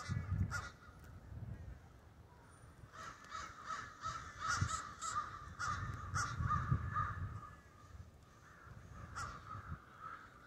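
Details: Roosting in the Denver snows, a murder of crows keeps up a rough, overlapping cawing chorus that rises and falls, with low background rumble.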